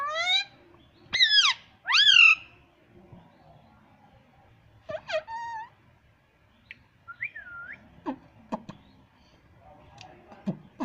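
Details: Pet green ringneck parrot kept indoors, meant to be saying "mummy" and "papa": loud harmonic screechy syllables in two bursts early on, then shorter wavering squawks and brief clicks with quiet gaps.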